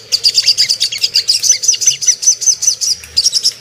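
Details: Ruby-cheeked sunbird song meant to stir other birds into arousal and aggression, a quick series of thin, high chirps and sharp whistled notes delivered at a steady, lively pace.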